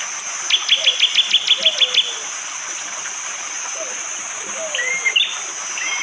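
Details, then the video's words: Morning forest near Panggul, East Java, Indonesia, during rain, phone-recorded: a bar-winged prinia gives a fast, even trill of about eight sharp high notes, then scattered chirps and soft low whistles, all over a steady rain hiss. "Tembakan burung prenjak jali"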